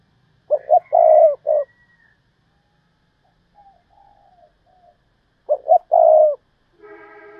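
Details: Decoy spotted dove in thúc bổi calling: two cooing phrases of quick double notes then a drawn-out purring coo, the first with an extra closing note, followed by a brief harmonic buzz at the end.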